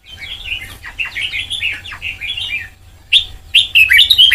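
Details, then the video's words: Red-whiskered bulbul of the white-cheeked type, trained toward the Sông Kon style, delivers a soft, continuous run of quick warbled notes, then a pause and louder, sharper whistled phrases near the end; faint low hum throughout. "Ép Giọng Cho Chào Mào Má Trắng Thành Sông Kon Chuẩn 100%, นกกรงหัวจุก"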